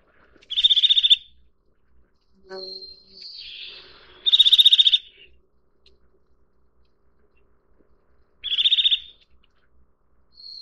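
A Eurasian nuthatch gives three short, rapid, high trills about four seconds apart, with a few softer, lower notes between them.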